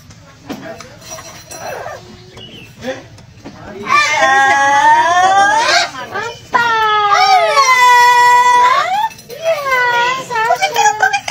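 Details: A pet parrot sings long, wavering, tonal phrases in three bursts like a mimicked human tune, after soft speech-like chatter in a small room, amid clapping and music as its owner urges it to sing.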